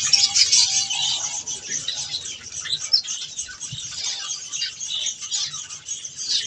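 Budgerigars chatter constantly in a dense, high warbling mix of chirps, squeaks and buzzy trills from several birds at once, with faint wing flutters underneath.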